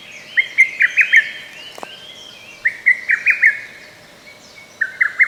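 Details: Lesser cuckoo singing in a forest park on 15 May 2024, gaps between songs partly edited out: three loud, sharp phrases of five or six staccato notes, the last one clipped short, over a faint steady hum.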